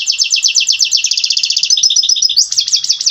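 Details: Male-style mating song of a European goldfinch, aimed at stirring a breeding-ready female: a rapid, unbroken tinkling trill of rhythmic repeated notes that shifts into a higher, brighter run near the end.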